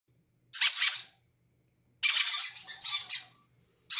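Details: Baby parrots, described as greedy and healthy, begging to be fed first indoors; two bursts of harsh, raspy, noisy squeaking cries, the second longer and pulsing, with a faint low hum underneath.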